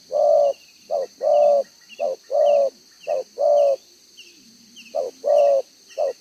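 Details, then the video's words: Spotted dove cock of the 'đồng gáy 1 hậu' cooing style, with a double row of neck spots, recorded 11 June 2023; mellow coos in pairs, a short note then a longer one, repeated about once a second, with faint high chirps behind. "ĐỒNG gáy 1 Hậu"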